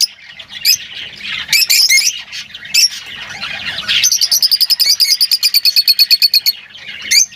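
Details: Lovebird song: scratchy squawks and chirps overlap, then a rapid regular series of sharp high clicks runs for over two seconds before a final squawk.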